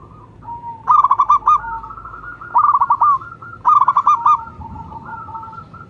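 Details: Zebra dove of the local type (perkutut lokal) calling strongly: three rapid phrases of clipped, bubbling coos with a sustained closing note, overlapped by a second dove's softer, continuous cooing.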